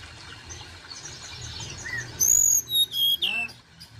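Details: Sunda robin call used as a quick lure to get other birds calling: faint chirps, then piercing, very high, pure whistles in three short bursts that step downward, with a buzzy final note.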